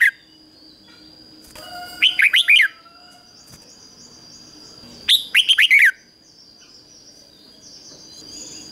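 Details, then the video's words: Caged decoy red-whiskered bulbul drawing in wild rivals repeats a bright, rolling phrase of about five warbled notes twice, three seconds apart, over a constant thin high whine. "Chào mào mồi HÓT CHÉ GỌI BỔI CĂNG ĐÉT"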